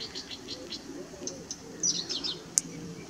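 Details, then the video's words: A Blyth's reed warbler sings at RSPB Middleton Lakes on 18 June 2021, a run of short, high, scratchy notes repeated a few times a second, then sharper chips and a thin whistle over a low hum. "Blyth's Reed Warbler"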